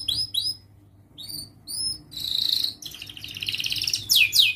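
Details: Canary song used as a training recording for young canaries learning their song: high, sweeping whistled notes, then buzzy rapid trills and rising sweeps, over a low steady hum.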